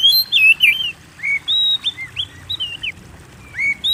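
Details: Oriental magpie-robin singing vigorously, a recording used as a lure to prompt kept birds to sing: loud, clear whistled phrases, some rising and some slurred downward, in short bursts separated by brief pauses, over faint low background hum.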